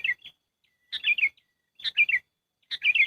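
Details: Trapping lure call of the sooty-headed bulbul: clear, rapid chirps grouped into tight, slightly falling phrases, each phrase repeated after a short pause, with no other sounds.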